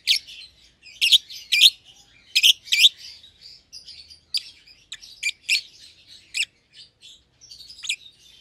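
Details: Lovebird pair, euwing green opaline and red-eyed albino, young and never bred, in a shared cage; loud paired chirps at first, then lighter scattered chirping.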